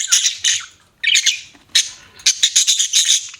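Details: Budgies chirping in quick, harsh, buzzy bursts, a rapid run of clipped scratchy notes repeated several times a second after a short gap.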